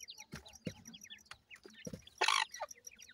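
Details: Newly hatched teetar chicks at feeding give rapid high, downward-sliding cheeps in quick succession, with a few thumps and a short loud rasping noise.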